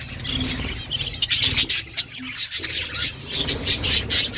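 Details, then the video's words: Budgerigar mother feeding chicks, with rapid harsh chirping in short pulses about four per second, scratchy and squawking, and intermittent low rustling and hum beneath. "Budgies mother feeding chicks birds chirping sound"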